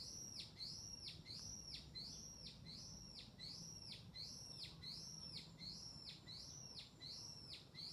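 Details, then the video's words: A bird twitters in a steady series of high, clear notes that each dip sharply in pitch, about one or two per second, against a gentle low hiss. "鳥の声 twittering"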